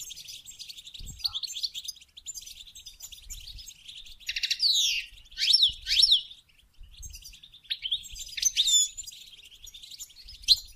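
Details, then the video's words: Goldfinch song for stimulating breeding: scattered high twitters build into loud, sharply sliding whistled notes and fast trills in several bursts, with soft chattering between and occasional low knocks. "Song And Stimulating Goldfinch To Mate"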